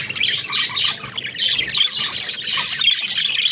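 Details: Talking pet budgerigars chattering nonstop: bright, buzzy chirps and short squawks pile into an unbroken high warble with no pauses.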